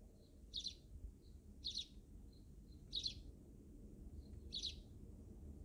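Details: Sparrows in a backyard repeating quick, high chirps about once a second, with faint softer notes between and a constant low background rumble.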